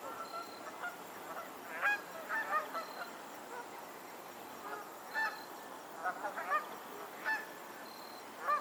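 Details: Lakeside geese in Pennsylvania keep up a busy series of honks, several birds overlapping in irregular bursts, some calls doubled, with a quieter lull midway and steady ambient hiss.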